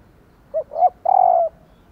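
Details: Female spotted dove calling to encourage male doves to coo: a low three-part phrase of a brief hoot, a rising coo and a sustained, softly descending final coo, in quiet surroundings.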